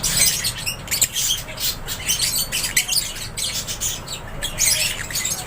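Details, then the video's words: Crowded aviary of lovebirds, loud and shrill: rapid overlapping squawks and chirps packed tightly together, rising and falling in intensity across the whole stretch. "LOVEBIRDS CHIRPING SOUNDS"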